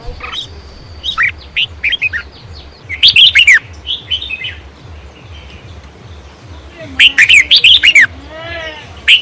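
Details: Baya weavers at their nests chatter in busy bursts of high, sizzling chirps and buzzy trills, many birds calling together over a steady low mechanical throb and a faint voice.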